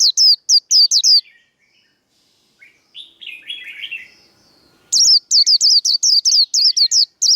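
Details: Japanese white-eye fighting song recorded for training cage birds: a short burst of high, falling whistles, a pause filled with quieter lower warbling, then a long fast series of loud repeated descending notes.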